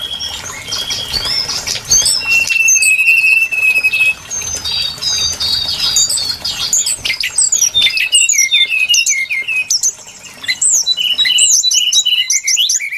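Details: Lure recording of brown-chested jungle flycatcher song for trapping: a long steady whistle early on, then a busy stream of sharp, high, slurred whistles and twittering notes that crowd together, briefly pausing near the end.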